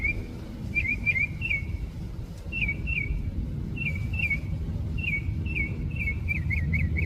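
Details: San Diego mockingbird delivering short chirped phrases in pairs and triplets, repeated at intervals, ending with a fast series of quick notes. Constant low background noise from traffic.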